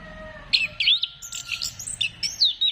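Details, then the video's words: Dated 15 December 2025, orange-headed thrush song meant to stimulate singing: a rapid run of short, sharp, high slurred notes and chirps, closing in a downward-sliding whistle. "Gacorkan Burung Anis Kembang Dengan Pancingan Suara Ini"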